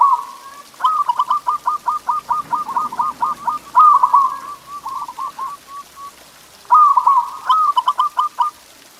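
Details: Perkutut, the local zebra dove, in a masteran training song for pet birds: a long rapid stutter of trilled coos, a brighter rolling phrase with softer trailing notes, silence, then the stutter returns.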